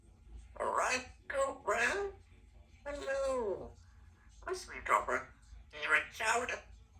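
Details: A 2-year-old female Congo African grey parrot, a pet, chatters in humanlike speech indoors while her owner gets lunch, giving about six short word-like phrases with pauses, in a quiet room.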